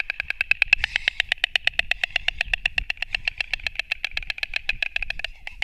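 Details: White storks fighting, taken on 29 March 2024 from a Latvian live webcam stream: rapid, dry, wooden clattering of about eight or nine sharp pulses per second, steady for over five seconds before stopping abruptly, with a faint low rumble beneath.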